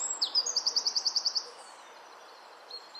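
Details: Wren singing in nesting season, likely to its mate: a short high rising note, then a fast run of about ten sharp ticking notes near 5k before broad background hiss and a later faint chirp.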